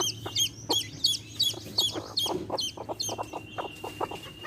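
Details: Chicks beside a hen chirp in quick, high, descending peeps, several per second early on, then thinning out, with soft lower clucking and a faint steady tone.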